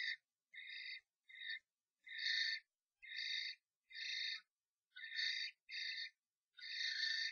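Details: Three common starlings fight in a nest box after a strange starling enters a pair's box, giving harsh, rasping screeches in short bursts, about ten in seven seconds, with quiet gaps between them.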